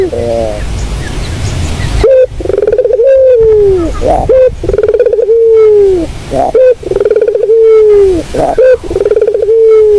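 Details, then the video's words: Puter dove repeatedly cooing for luring birds. After two seconds of soft background, a steady series of phrases follows, each a short clipped note, a quick stutter and a long gently falling tone, about every two seconds. "Inilah bunyi Suara burung puter yang sangat merdu buat pikat"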